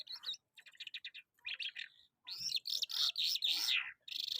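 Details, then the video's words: Lark, known locally as Jal Afghani, recorded in Karachi, singing rapid bursts of high chirps and trills, then a dense, buzzy, warbling phrase with fast rising and falling notes, separated by brief pauses. "Jal Afghani lark My favorite Bird"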